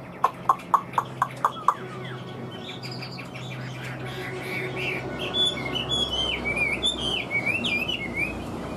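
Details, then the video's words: A series of sharp, evenly spaced clicks comes first. Then a kept Chinese hwamei, large-framed and said to sing well, enters with rising, loudening warbles and clear looping whistles that run to the end. "Ngũ trường bộ to, hót tốt, bóng bộ cực đẹp | Họat Họa Mi"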